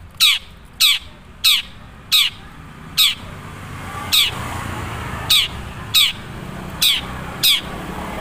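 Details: Long-tailed shrike (cendet) from Madura, natural voice with little mimicry: loud, harsh downward-sweeping notes repeated roughly every 0.6 seconds, ten in all, over a soft background hiss.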